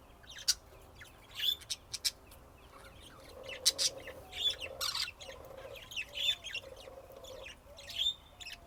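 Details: Budgerigars warbling with quick chirps, clicks and short whistled notes in irregular bursts, over a faint steady hum.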